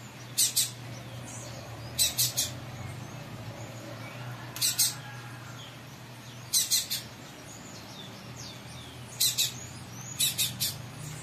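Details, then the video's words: Captive double-collared seedeater of the tui tui zel zel song style, kept by a breeder, answering another bird; short high sharp notes in pairs and triplets, repeated roughly every two seconds, over a steady low hum. "COLEIRA TUI TUI ZEL ZEL"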